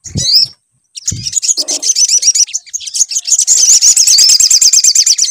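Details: Sunbird song used as a lure to get the bird to sing: thin high notes, then after a short pause a long rapid trill that grows louder and faster. Low knocks appear early.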